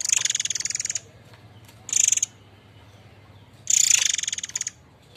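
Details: White-rumped shama of the air mancur type giving its harsh notes, used as a training model for other birds: three loud, buzzy, rattling bursts, each roughly half a second to a second long, separated by short pauses, over a low hum.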